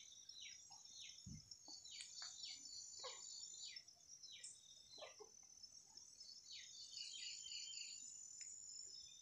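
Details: Birds singing on a cloudy morning: short, downslurred chirps repeated in quick, irregular succession over a steady high insect-like hiss. Several calls overlap at low volume.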